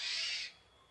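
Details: A single harsh, noisy screech of about half a second from a Javan pied starling's basic song, cutting off abruptly into quiet.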